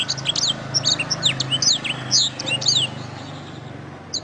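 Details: Canary song used as a training master for songbirds, best played in morning or afternoon: rapid high twittering of sharp chirps, sweeps and trills for about three seconds, with a low steady hum underneath.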